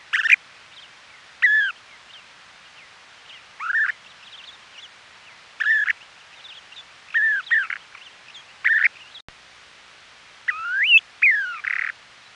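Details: Western snowy plovers calling on Ormond Beach in Oxnard, California, during the 2018 nesting season, picked up by a trail camera: repeated short rising, slurred notes in quick bursts, some doubled, scattered across the recording over steady background hiss.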